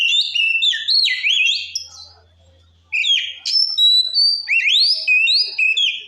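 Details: Song of a white-rumped shama used to provoke rival shamas: rich whistled phrases with swooping, wavering notes, a pause of about a second, then a second burst of bright rising and falling whistles.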